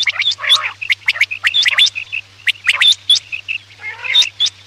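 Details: Quail sound for night hunting: busy mix of clicks, short whistled high notes and nasal buzzy bursts, repeated irregularly, over a low constant hum.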